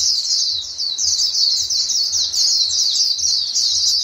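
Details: Several white-eyes call to each other in an unbroken, tangled chorus of high, thin twittering notes, with faint low thumps in the background.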